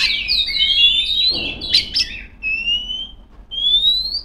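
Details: Female Oriental magpie-robin calling out to rivals with a tumbling warble of whistles, a few harsh clicks, then two clean, drawn-out rising whistles.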